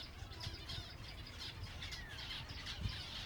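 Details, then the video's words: Silver Java sparrows at feeding time, a crowd of finches giving continuous high chirps and short trills, with one thin down-slurred whistle and soft low bumps of movement. "finches feeding time (silver java birds)"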